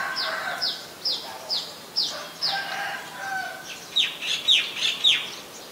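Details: Great (white-vented) myna in Ubon Ratchathani, Thailand, 8 March 2022, gives a run of sharp, high, down-slurred whistles about twice a second, breaking into a quicker, harsher chattering burst, with lower chuckling notes underneath.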